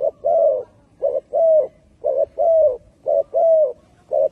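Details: Spotted doves in Malaysia coo low and soft, alternating short double notes with longer drawn-out coos, about one phrase per second.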